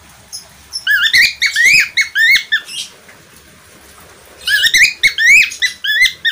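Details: Budgerigar, also known as parkit australia or falk, giving bursts of sharp, rising and falling chirps in two clustered phrases separated by a quiet pause of about two seconds.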